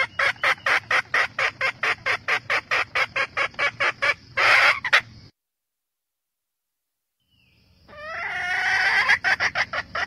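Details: Red junglefowl hen calls the rooster with a long run of rhythmic clucks, about two per second, then a pause of silence before another drawn-out, rising harmonic call.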